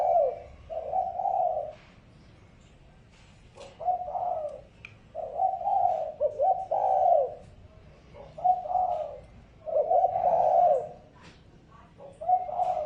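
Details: Spotted dove calling for luring and stimulating decoy birds: a steady series of mellow, rounded coo phrases, some doubled, repeated every couple of seconds, with faint clicks and distant chirps between them.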